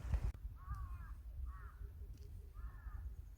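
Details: Wild birds in a mountain village 700 m above sea level in Jeongseon, Gangwon-do, South Korea: three harsh, buzzy, slightly wavering calls about a second apart, over low rumbling background noise.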